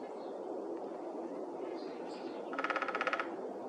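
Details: A male Downy Woodpecker in Edmonton's Whitemud Creek Valley in April tests a tree by hammering, which is not resonating well: a quick, even burst of about a dozen sharp taps lasting under a second, over steady hiss.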